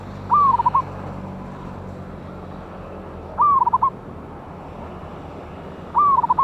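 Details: Lure recording of a wild local zebra dove with a big voice, 11/8/24: soft rolling coo phrases repeated roughly every two and a half to three seconds, each a rising note then a burst of clipped coos, quiet hum behind.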